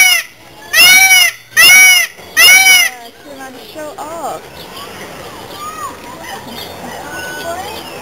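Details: A male peacock showing off at Auckland Zoo gives three loud, nasal, wailing cries in quick succession, then falls silent while a child talks and other birds call faintly.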